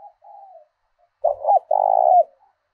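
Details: Thổ đồng-style call of a decoy spotted dove from southern Vietnam, used to lure and provoke wild doves: a soft low coo, a pause, then a loud two-part coo ending in a long resonant note.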